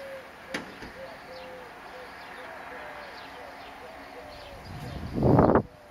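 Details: A Squacco heron (Ardeola ralloides) at Skala Kallonis on 4 May 2015 gives one short, harsh, rasping croak near the end, after faint soft cooing notes and a low background murmur.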